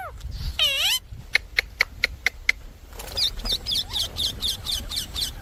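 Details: Indian parrot: a harsh screech, then a row of sharp clicking ticks, followed by rapid chattering squawks over quiet background noise.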